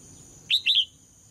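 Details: Red-whiskered bulbul female song meant to provoke males to sing hard: one quick phrase of three clear whistled notes, a sharp first note then two slurred ones, with a constant high-pitched tone behind.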